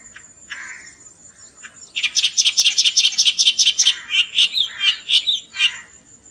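A Clamorous Reed Warbler sings a loud, scratchy run of rapid chattering notes, high-pitched and repeated several times a second, with a thin steady whine in the background.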